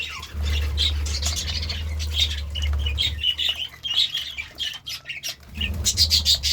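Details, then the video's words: Budgerigars chirping in the morning, separate bright chirps and short warbled bursts with brief pauses, low humming noise beneath. "Budgie Sounds part 33 | A beautiful chirping sound in the morning"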